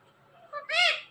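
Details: Parrot mimicking a human word: a short soft syllable, a brief gap, then a loud, bright, strongly harmonic syllable that rises and falls before trailing off.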